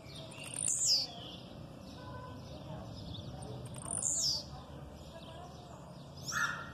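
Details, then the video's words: Blue-black grassquit giving its aggressive song, with female calls in the background. Short, high, buzzy notes drop sharply in pitch and come about every three seconds, three in all. A faint low hum runs underneath. "Tiziu canto agressivo com piado de fêmea no fundo"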